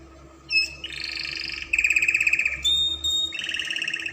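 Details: Spanish Timbrado canary singing, kept as a training voice for young canaries; sustained trilled phrases near 2-5k, a sharp pulsed rattle, then a clear whistle and a fresh rolling trill, with a steady low hum beneath.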